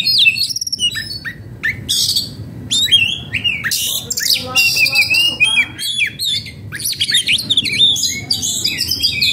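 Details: Excited oriental magpie-robin (kacer) in breeding condition giving a long, energetic outpouring of song: harsh rasping bursts, sharp chips and bright whistled phrases tumbling together, loud and close throughout.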